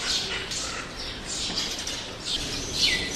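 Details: Roadside birds of several kinds, sparrows included, give rapid high chirps and short downslurred notes in clustered bursts over a faint rumble.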